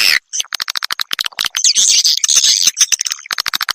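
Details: Swiftlet-farming call of edible-nest swiftlets, played to draw birds into houses; fast run of short clicking chirps building into a sustained high, shrill buzzing twitter, then clicks again.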